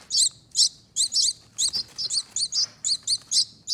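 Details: Two rescued finch nestlings from a front door wreath nest, being fed. About sixteen sharp, high squeaky chirps in under four seconds, some doubled, delivered in an uneven quick rhythm.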